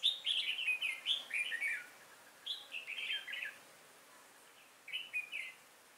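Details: Trap decoy red-whiskered bulbul singing on 5 October 2018 to lure wild bulbuls; cascades of quick descending warbled notes in three bursts, louder at first, then fading after a pause.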